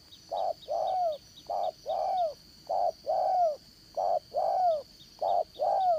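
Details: Spotted dove with the 'Đồng Son' voice, used as a trapping decoy, repeats paired coos, a brief note then a longer falling one, about every second over a steady faint hum.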